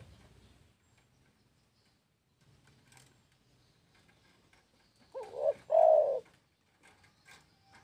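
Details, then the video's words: {'text': 'Spotted dove giving one song phrase after several seconds of quiet: a trembling double note and then a drawn-out, soft, throaty coo, with light background ticks.'} "SUARA BURUNG TEKUKUR"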